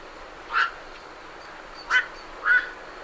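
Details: Three hoarse, abrupt squawks from night herons departing a roost, the last two close together, heard at medium close range with great reed warblers behind.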